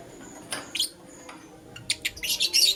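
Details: Lutino lovebird in the morning giving loud, shrill, scratchy chirps in quick bursts. Two notes come early, then a rapid run of harsh screechy notes toward the end.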